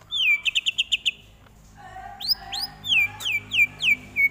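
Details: Greater green leafbird tutor song: a loud, rapid trill of about eight ringing notes, then a pause and a varied run of rising sweeps and repeated down-slurred whistled notes at a lively pace.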